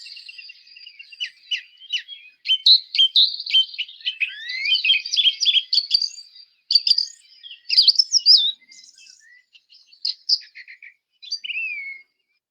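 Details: Song thrush, noted for great variability and for repeating each phrase two or three times: a jumble of sharp clicks, squeaks and short whistled sweeps, some repeated, delivered in an uneven stream with brief gaps.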